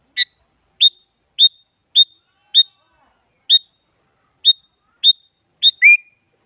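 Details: Sooty-headed bulbul used as a lure to make a silent bulbul answer, a female calling a male: nine clear, high, upslurred chirps repeated at uneven intervals, ending in a lower, slurred two-part note.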